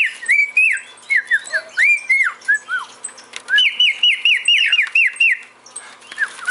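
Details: Male cockatiel runs through chains of falling whistled notes, then a rapid string of evenly repeated rising-falling whistles, slightly harsh in places.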